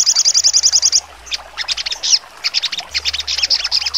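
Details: Sogon bird singing in sharp 'trotol' style, used as training song for contest birds: a rapid, very high, even trill for about a second, then a burst of sharp, scattered chirps and short notes.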